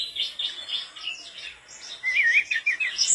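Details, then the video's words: Mangrove blue flycatcher in full, persistent song, rapid high chattering notes that give way to a brighter run of wavering, slurred whistles near the end. "tledekan bakau gacor teler bikin sikatanmu meleng2"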